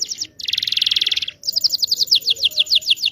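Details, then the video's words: Canary singing a long rolling song meant to train young canaries learning to sing: quick down-slurred notes, a dense buzzy trill, then a fast run of sweeping chirps. No other sounds. "KENARI GACOR NGEROL PANJANG PANCINGAN KENARI PAUD BELAJAR BUNYI"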